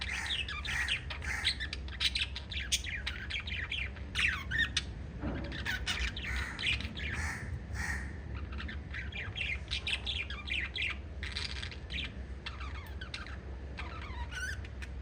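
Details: Five lovebirds of a pet parrot family chirping together: a dense, nonstop chorus of harsh, squawky chirps and short screeches, overlapping quickly throughout, with a steady low hum underneath.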